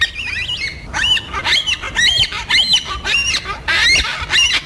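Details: Rapid series of raspy, wavering wails, nearly two per second, from yellow-tailed black cockatoos, social birds of south-eastern Australia that use these calls to communicate within small foraging groups.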